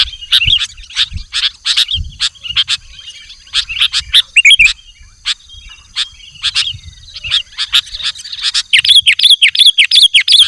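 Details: Lively sooty-headed bulbul calling to attract wild birds: a dense run of crisp chirps, turning into warbled phrases near the end, over a constant high-pitched insect drone.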